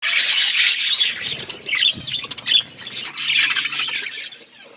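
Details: Budgerigar flock eating food, a dense mass of scratchy, squawking chatter and warbles from many birds at once, in loud waves with a brief lull near the middle.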